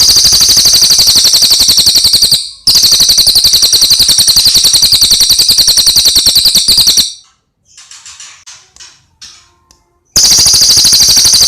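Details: Cililin song used as a training recording for teaching other songbirds to imitate it for singing contests: a fast, steady, high trilled chatter of rapid repeated notes, pausing briefly, then faint scattered chirps before the trill resumes.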